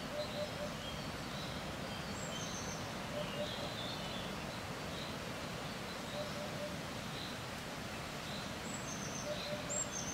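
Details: Wild Eurasian hoopoe giving its call outdoors in wind: faint, low, hollow three-note hoots spaced a few seconds apart, overlaid by constant wind rumble and sporadic high twittering from other birds.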